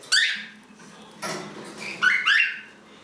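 A green-naped lorikeet gives three bursts of shrill, harsh screeches over three seconds, the last a pair of rising, squealing notes, over a faint low indoor hum.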